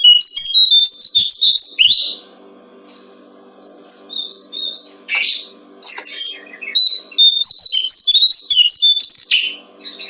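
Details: Song of a brown-streaked flycatcher for songbird training: a rapid twittering phrase, a silent gap, then bursts of high chirps, a rasping downslur and more quick whistled notes over a faint low drone.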